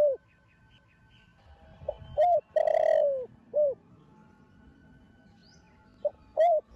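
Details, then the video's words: Spotted dove in thổ đồng style cooing to prompt other doves: a full phrase of short note, coo, long falling coo and soft end note, then a pause and a fresh phrase starting; faint faint chirps in the background. "Thổ Đồng Gáy Gọi + Thúc Kích Bổi Đứng Ngồi Không Yên"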